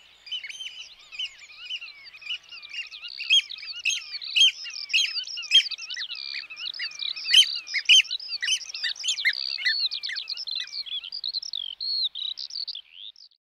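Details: Eurasian oystercatcher in the Netherlands, a bird attached to its territory: a dense run of shrill, high piping notes, rapid and overlapping for about twelve seconds, rising and falling in loudness before trailing off near the end.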